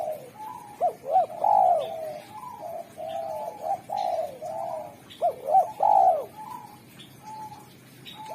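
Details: A spotted dove praised for its sharp, clear voice, singing to attract wild doves, repeats a short-short-long coo phrase with trailing softer coos, heard twice in quick succession with faint chirps in the background.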